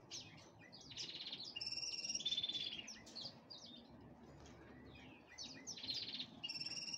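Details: Black-headed canary preparing for breeding, giving a varied twittering song of quick chirps, short buzzy trills and thin high whistled notes in irregular bursts over a steady low background hum.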